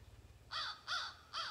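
An American Crow gives three harsh, rasping caws, one roughly every half second, over a faint low hum.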